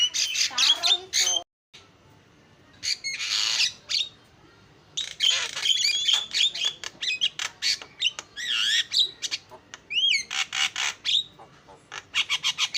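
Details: Starling lure song in uneven phrases: scratchy chatters, loud noisy bursts and twisting whistled notes, broken by a brief silence near the start.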